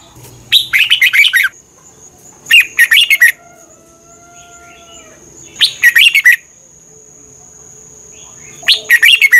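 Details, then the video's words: Red-whiskered bulbul singing, used in Thailand to train birds or rouse them: four lively phrases of rapid, warbled whistles, repeated every two to three seconds, with a soft background hum. "เสียงนกกรงหัวจุก สำหรับต่อ หรือ เปิดให้นกคึก เสียงเพราะๆ"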